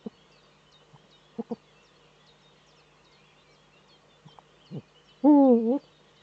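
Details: Male Eurasian eagle-owl courting in the nesting niche of a nest in northern Rhineland-Palatinate, Germany, 04.05.2013; a single loud, deep, wavering hoot of about half a second follows a few soft grunts and faint birdsong.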